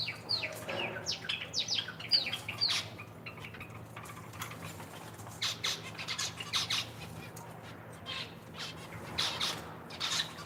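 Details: Indoor aviary zebra finches, kept with Java sparrows and raising chicks: a burst of sharp, squawky chirps early on, then sparser high calls and some wing flutter against a steady background hum.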